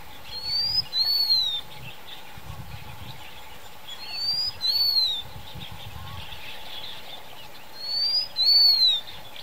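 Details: Blue-winged minla repeating a sharp, high two-part whistle three times at roughly four-second gaps, a quick upward note then a longer descending one, against a quiet steady hum and faint low rumbles.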